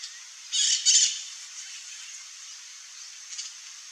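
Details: Glittering-bellied emerald (Chlorostilbon lucidus) song: two short, harsh, buzzy bursts of very high sound close together near the start, then only a faint hiss and one soft high note near the end.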